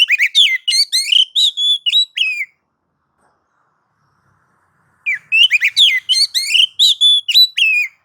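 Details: Oriental magpie-robin song in nagan and ngobra style to stir other magpie-robins; two rapid phrases of crisp, varied whistles and chirps, separated by a silent gap of roughly two and a half seconds.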